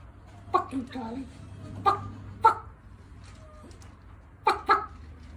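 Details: A pet galah, an Australian cockatoo, mimics human speech in a handful of short, harsh, word-like bursts, including swearing, over a low indoor hum.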